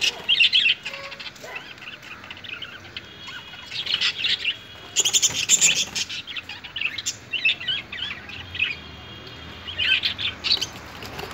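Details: Parrots in a fight give repeated high, grating squawks and chirps in clustered bursts, loudest around five seconds, with brief quieter gaps between outbursts.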